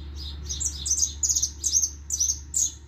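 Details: Hooded siskin singing a run of short, high twittering chirps, each a quick bright slurred note repeated roughly every third of a second, over a steady low hum in the background.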